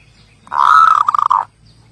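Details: Zebra dove giving a single buzzy, rattling trill of about one second, its notes run so close together that they blur into one steady tone, with quiet surroundings before and after.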